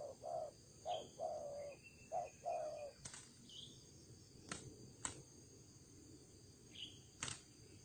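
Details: Spotted dove kept as a decoy bird, giving a run of five low, hollow coo notes over about three seconds, then sharp clicks and a few faint higher chirps from other birds, with a steady insect hum throughout.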